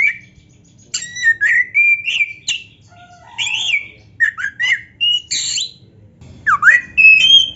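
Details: White-rumped shama song for training a caged bird to sing eagerly: varied clear whistles and slurred notes, short rising and falling phrases separated by brief gaps, some harsher chirps and a low buzzy note mixed in.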